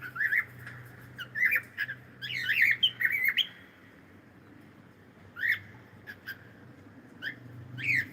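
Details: Pet cockatiel singing and calling: a dense cluster of squawky, warbling chirps, then scattered sharp rising whistled notes after a short pause, over a faint low hum.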